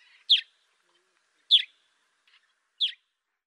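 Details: Three loud, slightly harsh chirps from a sparrow in Africa, each sweeping downward, spaced about one and a quarter seconds apart with near silence between.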